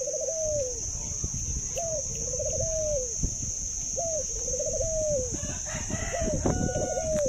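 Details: Pet zebra dove, noted for its laugh-like voice and unusually long cooing, gives a long run of soft, stuttering, chuckling coos, roughly one rolling phrase per second, over a steady high whine and low rumble.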